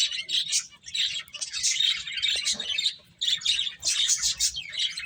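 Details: Several finches at play keep up a steady stream of sharp, high twitters and squeaky chirps, dipping briefly before another lively burst.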